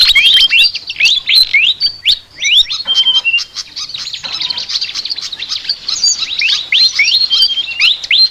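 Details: Sikatan, a flycatcher, chattering: quick runs of high, upward-flicking chirps and brief level whistles, with a short lull in the middle before the busy stream resumes.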